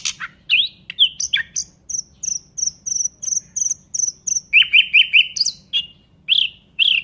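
A nightingale sings a varied phrase: sharp whistles, a rapid series of high repeated notes, then a run of fuller liquid notes, with a faint low hum underneath.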